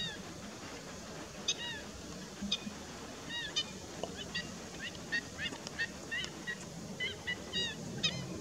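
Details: Black-winged stilt calling rapidly, a run of sharp, nasal, yelping notes that quicken toward the end, several overlapping, heard over constant low rushing noise.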